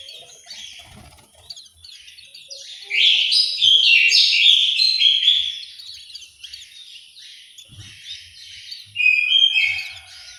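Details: Aviary orange-headed thrush in Malang, East Java, singing a long, dense run of bright, rapidly changing whistled and warbled notes, then a quieter stretch and a final short loud burst.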